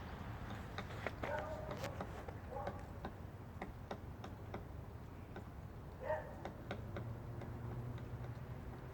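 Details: A woodpecker breaking apart a tree branch above a parked car taps on wood in sharp, irregular knocks about once a second, while a man tries to scare it off with a rock and speaks briefly over a low background hum.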